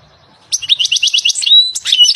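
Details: European goldfinch in nature singing a rapid string of evenly repeated high tinkling notes, then a pure sustained whistle and more quick chattering twitters.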